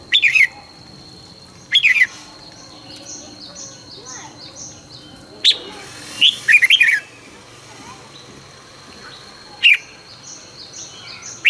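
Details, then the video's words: Red-whiskered bulbul singing its morning song during 2020 song training, fast and fired-up; short loud bursts of whistled, warbling notes dropping in pitch, at spaced intervals of two to four seconds, over a steady high electronic tone. "luyện chào mào hót sáng 2020- Hót hay nhanh căng lửa"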